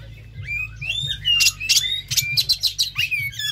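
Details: Oriental magpie-robin singing, used to get a captive bird to sing: whistled slurs followed by loud, rapid harsh bursts repeated about twice a second, with a low hum underneath.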